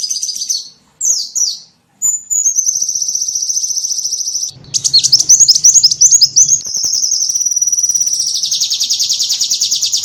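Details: A small bird's lure calls for attracting small birds: short high chirps, then long, thin, high-pitched buzzing trills that run on for seconds, broken by a burst of rapid sharp twitters.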